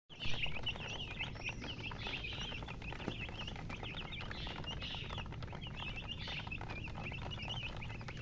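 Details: Chickens chirping: a dense, continuous chorus of short, high, wavering chirps overlapping from several birds, with a steady low rumble underneath throughout.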